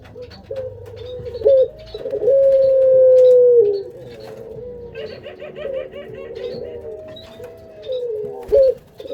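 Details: Breeding-stock collared dove giving long, steady, level coos near mid pitch, some ending in a short upward flick, with fainter chattering and scattered clicks in the background.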